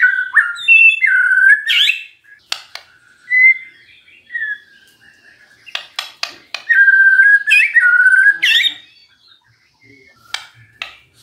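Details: Magpie-robin song played as a lure to prompt a quiet bird to respond: rich whistled phrases with upward slurs, broken by sharp clicking bursts and short pauses.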